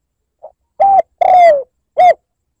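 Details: Spotted dove lure call in the liêu lỡ style, aimed at provoking wild doves: a soft lead note, a flat coo, a long coo falling in pitch, and a short rounded closing coo.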